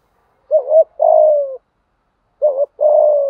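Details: Spotted dove delivering its challenge coo for training decoy birds to answer. Two identical phrases, each a wavering low double note then a drawn-out, gently falling coo, separated by about a second of silence.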